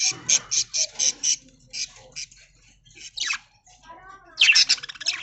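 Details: Aviary budgerigars in the early morning as they feed on corn among green leaves: a string of short raspy chirps, a pause, a quick downward-sweeping squeak, then dense scratchy warbling chatter toward the end.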